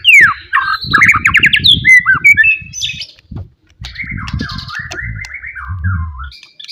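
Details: Wild forest white-rumped shama, loud provoking song: fast descending sweeps and rapid ladder-like trills, then a long wavering run of chattered notes, over steady low rumbling noise.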